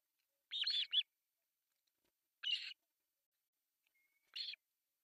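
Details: Osprey young, three chicks at breakfast feeding on an artificial nest in northern Satakunta, Finland, July 1, 2024; three harsh, buzzy high squeals spaced roughly two seconds apart, the first doubled.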